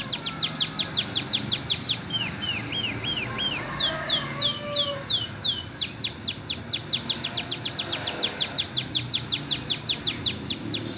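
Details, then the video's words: Green canary with lovebird song material repeats steep downward-slurred whistles in long runs, breaking midway into lower, slower slurred notes before resuming rapid high sweeps, about three per second. "KENARI IJO ISIAN LOVEBIRD MEWAH"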